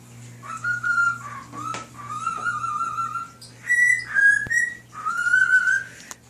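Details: Male cockatiel kept as a pet, singing Nights in White Satin to other birds and a fish; pure whistled notes step up and down through a melody in connected phrases, with a faint background hum.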